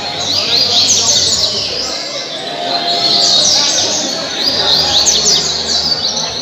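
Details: Caribbean seedeater kept by a bird keeper in Mambucaba park, Angra dos Reis, Brazil, delivering bursts of fast high chirps and slurred whistles in phrases, with a low hum and faint background noise beneath.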